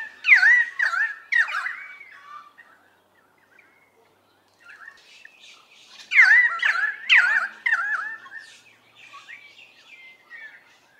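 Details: Bursts of ringing, swooping whistles from a pied currawong, rapid gurgled notes clustered at the start, a quiet lull, then a second loud series and a fainter drawn-out whistle to finish.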